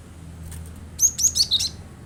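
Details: Cinereous tit (glatik batu) lure for a kept bird: a fast burst of four or five bright, very high chirps tumbling downward in about three quarters of a second after a brief quiet lead-in.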